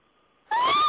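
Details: Owl, 14 April 2010, letting out one abrupt, raspy, breathy call that swells and rises slightly before dropping off. A faint steady whine sounds before it.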